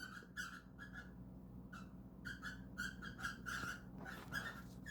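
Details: Pet cockatiels indoors, caught trying to mate, give short, rhythmic chirping squeaks in quick bursts, about one every second, with breathy noisy edges, in a small quiet room.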